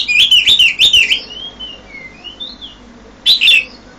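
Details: Oriental magpie-robin (Copsychus saularis) singing loudly at about 5 a.m.: bursts of rich, scratchy notes, then thin sliding whistles rising and falling, and another chattering phrase.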